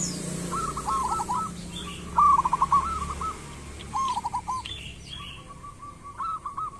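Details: Local zebra dove in lively song: rolling cooing phrases of quick, even notes at a mid pitch, in four bursts with short gaps, over a low hum and faint chirps of other birds.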